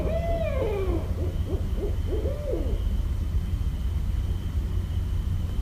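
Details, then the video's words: Barred owl from Westchester, New York, recorded 5.1.17: a long falling wail, a few quick hoots and another drawn-out note, then only low rumble. "Barred Owl Calls (New York)"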